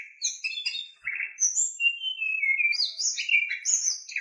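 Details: Lure song of an Oriental magpie-robin, rich in harsh fill-in phrases, meant to stir other birds into singing: a rapid jumble of chirps and whistles, with short rising and falling slurs and scratchy bursts, continuous throughout.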